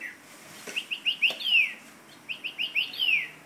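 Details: A caged parrot gives two bursts of song, each a few quick high chirps ending in a long clear whistle that slides downward, with a brief pause between the bursts.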